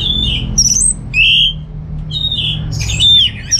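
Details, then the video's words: Orange-headed thrush at home in North Bali delivers long, clear, slightly wavering whistles with short pauses between them. A high scratchy flourish closes the phrase and a low background hum stays steady throughout. "Receh & Jos Suara ANIS MERAH Berkicau"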